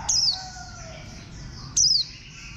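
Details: Two clear, high whistled notes from a warbling white-eye, each dropping quickly in pitch, heard over light background chirping.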